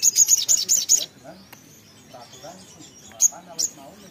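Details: Little spiderhunter (sogok ontong or sogon) giving a quick series of about six shrill, high notes, then near silence broken by two single sharp notes.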